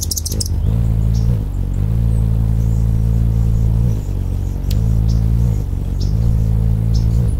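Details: Wing hum of an Anna's hummingbird, suburban Portland, Oregon, December 2010. A deep buzzing drone shifts back and forth between two slightly different pitches every second or two, with a brief high chirp at the start.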